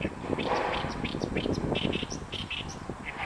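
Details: Oriental reed warbler on 28 May 2022 in Inuyama, Japan, singing to declare its territory; harsh, grating chattered phrases in short bursts, repeated in quick succession over a low rumbling background.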